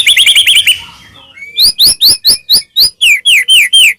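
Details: Singing white-rumped shama used to provoke other shamas: a quick rattling burst, a thin rising whistle, then a steady series of sharp upswept notes repeated about twice per second, ending in falling slurs.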